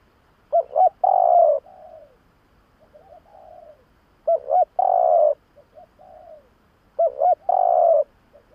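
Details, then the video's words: Lure call of a spotted dove, meant to attract doves, repeated three times about every three seconds: two quick coos, a long steady coo, then softer falling trailing notes; no other sounds. "Tiếng chim cu gáy nghe là ghiền kích bổi siêu nhạy"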